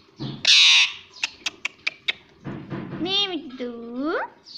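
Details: Pet talking parrot, a green ring-necked parrot, heard with a loud harsh squawk, a few sharp clicks, then rising and falling whistled, voice-like sounds toward the end.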